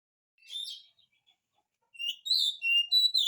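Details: Oriental magpie-robin in full song, used as a lure to get lazy magpie-robins to sing back: a brief warbled phrase, a pause, then bright high whistles and slurred notes in a quick run.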